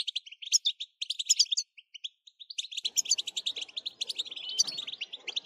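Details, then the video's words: European goldfinch singing, used to excite other goldfinches into song; bright rapid chirps and tinkling twitter phrases with short gaps, a soft low rustle under the second half. "بتبتة نااار يا حبييبي ناااار لتهييج الحسون ستجعله يغرد من دووون انقطاع"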